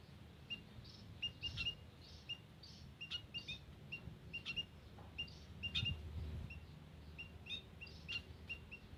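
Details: White-headed munia calling in a garden, taped as a lure: a continuous scatter of brief, high, tinny chirps, several per second at times, over low background rumble.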